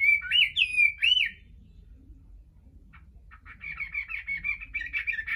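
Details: A Chinese hwamei sings naturally with no female present: loud, bending whistled phrases, a pause, then a fast jumble of rich, varied notes, over a low background rumble.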